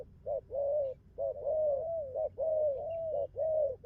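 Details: Young wild-caught spotted dove cooing well, having newly taken up its song: low, mellow coos run almost unbroken, short clipped notes linking long, gently arched drawn-out ones.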